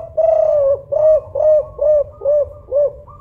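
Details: A local Spotted dove, recorded as a loud lure call, gives a deep, mellow series of about six soft coos, each slightly arched in pitch, delivered steadily about every half second.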